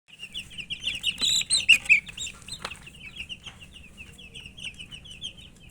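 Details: Domestic chicken chicks chirping while eating: a dense chorus of short high peeps overlapping quickly, loudest in the first two seconds, then thinning into softer scattered cheeps with a low background rumble.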